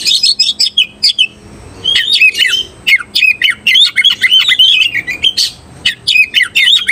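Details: Oriental magpie-robin looking for a rival to fight, pouring out fast, shrill, scratchy phrases in quick bursts, varied chirps and squawky notes tumbling together with only short pauses between them.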